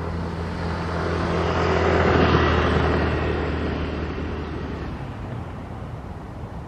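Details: A low roar of a passing aircraft swells and fades over steady background hum, with no animal calls.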